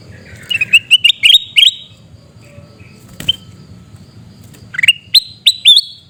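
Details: Sooty-headed bulbul from Pidie, Aceh, Indonesia, giving harsh shrieking calls: a quick burst of five or six sharp, rising notes, a lone click mid-way, then another burst of four louder, upward-sliding notes.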